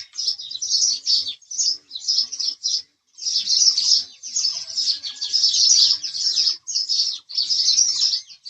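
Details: House sparrows chirping in a lively overlapping stream of sharp, high notes, one short pause near the middle, otherwise unbroken chatter.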